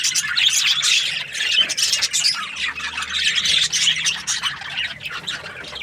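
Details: Australian budgies keep up a dense, nonstop chatter of high overlapping chirps and scratchy warbles. The flock noise rises and falls without pause, with no other clear sounds.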